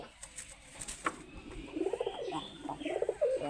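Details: A pet domestic pigeon with young, perched on a person's hand and pecking, gives a low, throaty, rolling coo after a few soft clicks and rustles.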